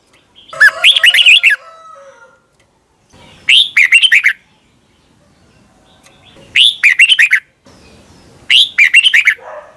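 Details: Caged-bird training recording of a Red-whiskered bulbul in Thailand: four loud, clear phrases spaced two to three seconds apart, each an upward sweep followed by several bubbling whistled notes.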